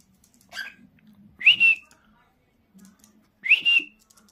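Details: A relaxed pet cockatiel gives harsh, rising whistled calls, each upslurred then held briefly, about two seconds apart.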